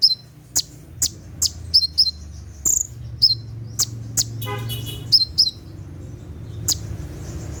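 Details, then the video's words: Konin (Brown-throated sunbird) singing at night in the 'tembakan' style, for training caged birds: steady high ticks and thin whistles, with a brief buzzy, harmonic-rich sound midway. "SUARA TEMBAKAN KONIN SAAT DIMALAM HARI"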